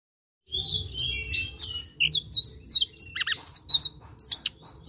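Blue-eared kingfisher delivering a busy run of high, thin chirps and short whistled notes, quick and uneven, over a faint low rumble.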